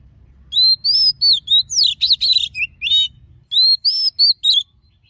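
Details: Oriental magpie-robin wild-style song for firing up male birds: clear high whistled notes in a lively sequence, some falling slurs, then a short pause and a final cluster of bright whistles.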